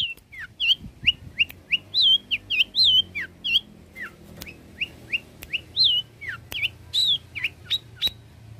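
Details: Long-tailed shrike song used as training material: a varied run of wavering, rising and falling whistled notes delivered in quick succession, some buzzy, with a few sharp clicks.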